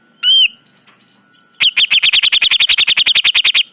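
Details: Grey-cheeked bulbul, a recording used to train caged birds: one bright slurred whistle, a pause, then a rapid even series of harsh chipping notes, roughly four per second.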